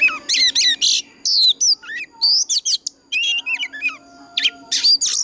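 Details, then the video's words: Oriental magpie-robin in the mature wild-forest singing style, a fighting song used as a lure to train and stir other birds. Rapid high whistles, sharp up-and-down slurs and buzzy bursts in quick separate phrases, with a faint steady hum behind. "Tiếng choè than già rừng kích hót cực căng"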